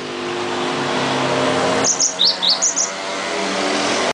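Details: Cinereous tit (glatik wingko) song: a one-second burst of high, sharp chirped notes in three quick pairs midway through, set against a steady droning engine-like hum that runs throughout.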